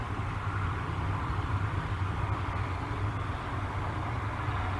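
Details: Continuous low idling engine hum with steady background noise and no animal calls.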